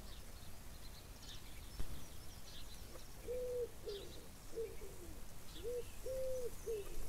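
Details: Chukar partridges calling: a series of low, arched, clucking notes in a broken rhythm, some drawn out and some short, with faint high chirps of small birds and a steady rural background hiss.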